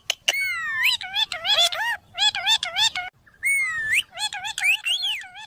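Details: Parrot giving funny, cute calls indoors: bursts of clear whistled, wavering notes, some rising and swooping, in quick strings with short pauses. The notes have a speech-like ring.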